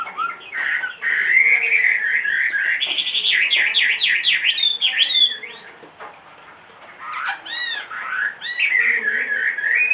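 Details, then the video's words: Large-bodied caged Chinese hwamei, two and a half years old. It delivers long runs of loud, rich whistled song with fast up-and-down slurs, pauses briefly, then resumes with looping high notes and sweeping whistles. "HM 450 hót mọi địa hình bộ to 2,5 tuổi lồng"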